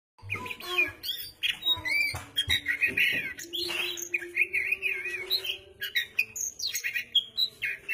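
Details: Oriental magpie-robin singing energetically: a rapid, varied run of whistles, warbles and sharp chirps, some notes wavering, others sliding high, with a steady low hum running underneath.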